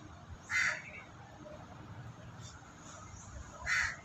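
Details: Harsh, grating caws from a crow, two loud calls roughly three seconds apart, sounding over faint low background noise beside a flock of feeding white pigeons.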